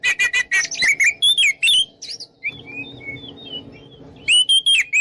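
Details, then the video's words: Oriental magpie-robin song meant to draw rivals into fighting: a burst of quick repeated chirps and whistles, a pause with faint thin whistles over low hum, then loud whistled notes resume. "PancinganKacerNgeplong|| Bikin Lawan Ngajak Tarung"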